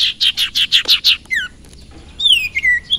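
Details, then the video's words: Singing sirpu (sirtu): a quick series of seven rasping, buzzy notes, then a pause and a few clear whistled notes that slide downward, with faint background hiss. "burung sirpu/sirtu dorong burung lain jadi emosi dan gacor"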